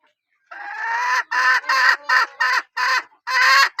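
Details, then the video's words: Calling hen of a strong-voiced line: one long harsh note followed by five or six loud, rasping notes repeated roughly every half second. "ตัวเมียสายร้องเกั่ง, poj qaib seev tsauj zoo heev"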